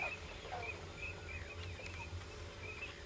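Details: Common cranes giving short, clear, slightly wavering calls at intervals, a few overlapping others, over a low rumbling background.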